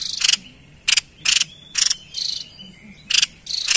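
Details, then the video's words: White-chested babbler singing, used for luring wild birds: grating, buzzy high notes delivered in spaced bursts, one softer drawn note between louder ones. "Tepus Dada Putih Gacor l Cocok Untuk Pancing Bunyi & Pikat Burung Liar"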